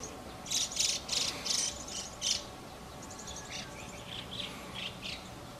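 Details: White-cheeked starlings raising chicks at the nest, busy feeding young and cleaning the nest. Harsh, buzzy high chirps come in quick bursts of about five notes, then softer, thinner calls trail off over steady background hiss.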